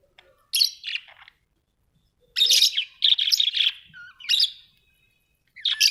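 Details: Pet budgerigars at home make bursts of scratchy chatter with a few short whistled notes between them, separated by moments of silence.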